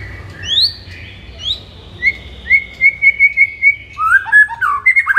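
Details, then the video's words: White-rumped shama song recorded in the morning as training material for kept shamas: clear whistled notes, a few rising slurs, then a quick run of evenly spaced whistles ending in tumbling, lower phrases. "MASTERAN MURAI BATU DI PAGI HARI AMPUH UNTUK NAIKKAN EMOSI MURAI BATU ANDA"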